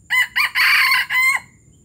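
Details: Junglefowl from Palembang, described as 'gerabas gerabas', giving a loud crow of four harsh segments over about 1.3 seconds: two short bursts, a longer strained middle part, then a final held note that ends abruptly. A quiet low hum sits underneath.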